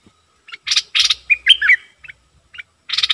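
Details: Bulbul decoy bird in loud song: harsh rasping bursts alternate with a sweet, slurred whistled phrase, then a few short chips and a final scratchy burst.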